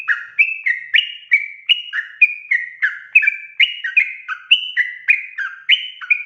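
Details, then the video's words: Vigorous Sooty-headed bulbul song used as a lure to make wild birds sing: bright, bubbling whistles that alternate higher and lower and often fall at the end, delivered rapidly and without pause across six seconds. "panggilan suara trucukan gacor efektif untuk pancingan burung trucuk bahan agar bunyi"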